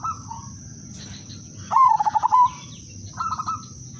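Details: Melodious lure song of an udanmas silver zebra dove meant to make every dove join in: a faint coo, then a loud rapid pulsed coo phrase, and a softer higher answering coo, with a steady high background tone.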